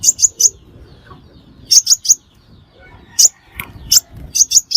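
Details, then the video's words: Crimson sunbird lure call used for trapping: sharp, very high chips in quick bursts of two or three, repeated every second or so, with quiet gaps between. "Tiếng Hút Mật Xác Pháo Mồi Chuẩn Không Tạp Âm"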